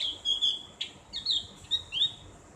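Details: Javan grey-throated white-eye giving a ngriwik-style song with a clear, open ngeplong voice, used as training for kept birds: high thin whistled notes and short rising chirps in brief bursts, with a faint low hum behind.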